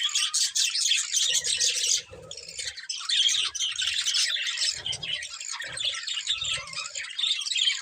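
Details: Budgies chattering: a constant, bright warbling of overlapping high chirps and rasping squeaks, dipping briefly once before carrying on, with soft low knocks in the background.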